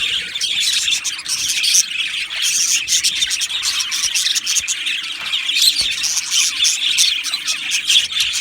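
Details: Budgerigars in an aviary colony, described as Australian, chattering together: a dense, continuous wash of high chirps, twitters and short squawks without pause, many birds overlapping throughout.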